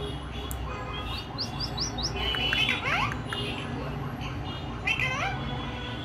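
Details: A pet Indian ringneck (rose-ringed) parakeet talking during a video call chatters in speech-like phrases mixed with quick rising chirps, over a busy background with faint voices and music.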